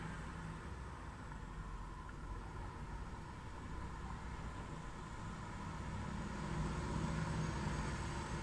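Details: Steady low traffic rumble from passing vehicles, growing slightly louder toward the end, with no clear animal voice.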